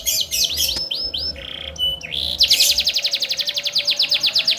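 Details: Canary song meant to set other canaries singing: varied whistled chirps and a short buzzy note, then a rapid, regular, high trill of clipped notes repeated about four times a second and quickening.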